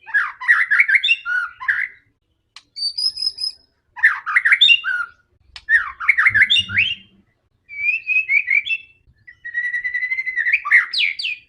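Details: Fierce white-rumped shama challenge song, sung to rouse other shamas: harsh chattering warbles alternating with a high thin whistle and, near the end, a rapid trill rising into sharp notes.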